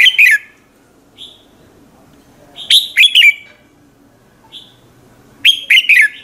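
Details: Morning song of a red-whiskered bulbul, played to train and spur other birds to sing: short, lively chirped and whistled phrases at the start, middle and end, separated by brief faint notes and quiet pauses.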